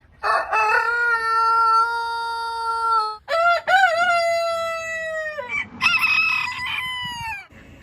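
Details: Rooster crowing: a long, loud harmonic crow held steady for about three seconds, then a second crow with a wavering start and long sustained tail, and a brief third crow overlapping near the end.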